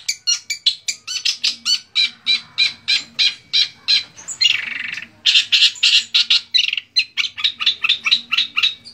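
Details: Long-tailed shrike (cendet) from Indonesian bird-song hobbyists, mimicking other species for use as tutor song; steady series of sharp, harsh chattering notes about three per second, broken by a short rasping buzz.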